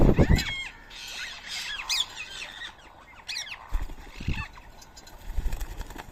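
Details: Rose-ringed parakeets at a 7 a.m. rice feeding in Coimbatore, India, 31 March 2024; shrill squawks and screeches in bursts from several birds, interrupted by low thumps and handling noises.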